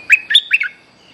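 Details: Bulbul song used as a luring call, from a young bird described as bold and in full voice: four quick, bright chirping notes in just over half a second, then a faint steady high tone fading out.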